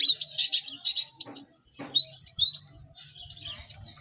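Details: Caged cinereous tits in a crowded chorus meant to speed up song learning: a quick, steady series of high chirps, then rising and falling whistled slurs, fading into softer chatter.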